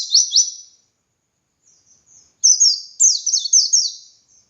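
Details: White-eye of the dakun type, a master recording for training other white-eyes to sing: high sweeping chirps descending in quick slurred notes, a burst at the start, then after a pause a longer run of repeated rapid phrases.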